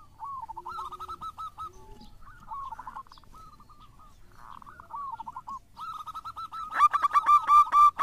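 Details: Actively singing local zebra dove giving soft, fast, rolling coo phrases with brief gaps, rising into a much louder, ringing sequence of repeated notes near the end.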